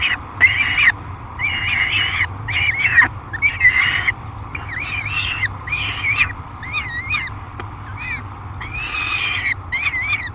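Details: Young peregrine falcon, aggressive and noisy while fed at the Great Spirit Bluff nest box, July 3, 2021: long raspy screams giving way to quicker chirping squeals with bouncing pitch, irregular bursts over low steady hum.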